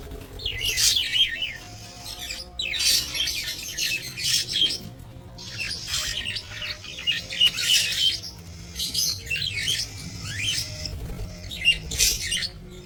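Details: Budgerigars kept for breeding in an aviary, recorded 13 April 2025; a flock chatters in high, scratchy warbles and squeaky notes, in bursts of a second or two separated by brief lulls.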